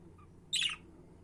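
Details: One loud, rasping squawk from a budgerigar, short and abrupt, against a quiet indoor background.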